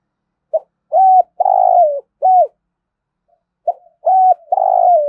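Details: Spotted dove, thúc gù style: a clipped note, an arched coo and a long coo sliding down at the end, repeated twice with a short silent gap between phrases.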